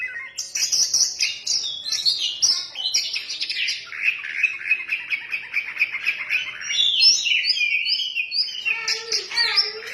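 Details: Oriental magpie-robin (kacer) in full 'ngefly gacor' song: fast, rich phrases of whistles, trills and chattering notes, sliding from high sharp calls into lower rolling warbles, then rising again, delivered almost without pause.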